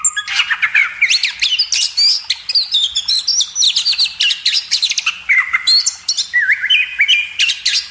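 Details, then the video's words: Kacer (Oriental magpie-robin) in a training recording for cage birds, pouring out a dense, rapid medley of sweeping whistles and trills that climb and fall, nearly continuous throughout. "masteran burung kacer"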